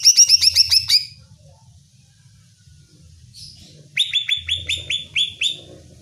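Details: Greater green leafbird song used to provoke another bird: an opening burst of quick high repeated notes, a pause, a soft buzzy note, then a second series of lower rhythmic chirps.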